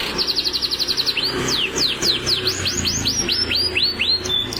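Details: Contest-ready canary in sustained song: opens with a quick high rattle of rapid identical notes, then shifts into a series of loud looping whistled sweeps repeated about four per second.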